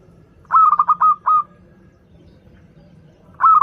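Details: Local zebra dove song, used as a lure for doves learning to sing. It gives a mellow cooing phrase: a quick stutter of short notes running into a longer drawn-out coo. After a pause a new phrase begins over faint low background rumble.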